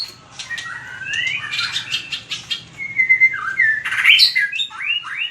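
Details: Training recording of a white-rumped shama's contest singing: a rich stream of rising and falling whistles with quick chattering notes, sharp high accents and slurred phrases, over a faint background hum.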